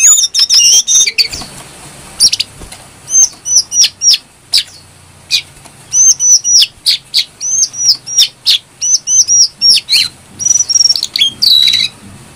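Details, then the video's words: Brown-throated sunbird singing clearly, played as a lure and tutor song for other songbirds: short high whistled phrases, each a quick rising-falling note pair, repeated in steady bursts with brief pauses between. "Pancingan burung kecil nembak,Jongkangan gacor"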